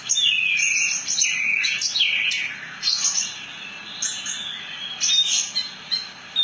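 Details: Javan bush lark, called branjangan, singing a rolling song: bright warbled phrases with falling whistled slurs and high chirps, delivered in steady bursts with brief gaps.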